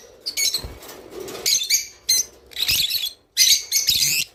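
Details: Java sparrow song for stimulating mating: short phrases of high, tinkling chirps with a faint clucking note between them, separated by clear pauses, plus soft knocks.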